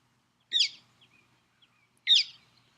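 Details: A Northern Mockingbird gives two sharp, high 'pik' notes about a second and a half apart, mimicking a Downy Woodpecker, with faint chips in between.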